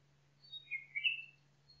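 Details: Nightingale in a forest delivering a brief phrase: a thin high note sliding into a short run of fuller, slurred chirps that swell and fade, with a steady low hum beneath.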